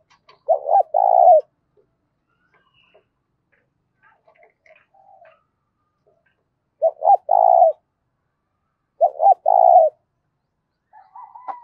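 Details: Spotted dove cooing loudly and cleanly to stir decoy doves. Three phrases of two sharp short notes and a longer rolling coo are separated by quiet gaps. Faint scattered chirps from other birds are heard, with a higher call at the end.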